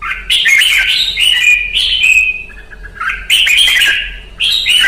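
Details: A Red-whiskered bulbul in a singing-training session sings loud, bright, chattering whistled phrases, three bursts about a second apart, with little else heard.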